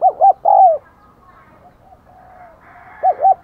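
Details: Decoy spotted dove cooing to attract wild doves: a short hollow pair and a long falling coo, a quiet gap with faint distant tones, then another pair of coos.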